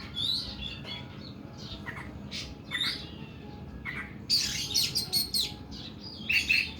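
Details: Oriental magpie-robin singing in the long, harsh 'nembak' style: assorted whistles and chirps build into a dense, loud scratchy burst, ending with another harsh note.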